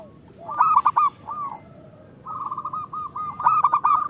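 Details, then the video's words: Local zebra dove song used to prompt lazy birds to sing: a short burst of quick cooing notes, a pause, then a long rolling trill of coos ending in a louder stuttering phrase. "Perkutut lokal gacor Pancingan Jitu"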